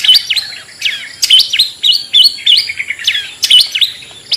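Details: Long-tailed shrike singing in the ngetet manner, played as a lure for lazy, unexcited shrikes: clear whistled notes that rise then drop, looping back and forth, over a faint constant hiss.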